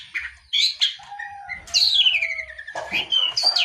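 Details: Long-tailed shrike giving slower, varied phrases: a low steady whistle, a long descending slurred note, and scattered sharp chirps with short gaps between them.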